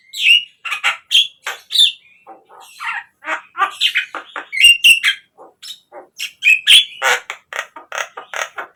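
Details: Captive-bird lure recording of a Javan myna, continuous varied chatter of rasping squawks, clicks and short whistled notes, loud and irregular throughout almost nine seconds.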